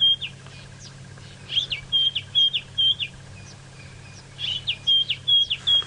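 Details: A White-browed Scrub Robin, tentatively identified, gives clear, high whistled phrases in two bursts of rapidly repeated short notes over a low engine hum, on a 6 a.m. sunrise safari drive at Djuma, Sabi Sand, South Africa, 29 August 2017.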